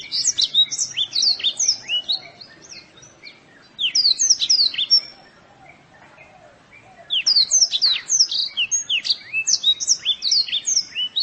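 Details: White-eye song from a masteran recording used to train kept birds: high, rapid twittering of sharp chirps and slurred notes in dense bursts, broken by a short quieter gap before the chatter resumes.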